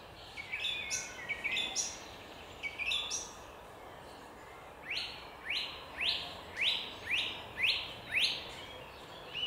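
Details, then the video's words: Thrush singing in a park: short phrases of clear notes, then a series of about seven identical sweeping notes repeated roughly every half second. "Odgłosy drozda w parku"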